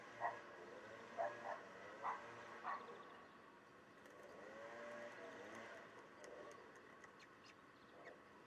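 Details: {'text': 'Common kestrels at the nest during a feeding, recorded 18 May 2023 at 10:20. Four or five short, harmonic calls sound in the first three seconds, followed by a steady low rumble of background noise.'}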